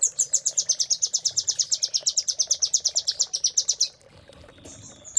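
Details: Velvet-fronted nuthatch master song used to tutor caged songbirds: a fast steady trill of high sharp chips, around six per second for four seconds, ending abruptly with a short pause and a faint high note.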